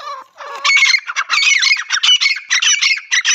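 A female partridge gives harsh, grating squawks in rapid, uneven bursts, about one and a half per second, loud and high-pitched, with nothing else heard.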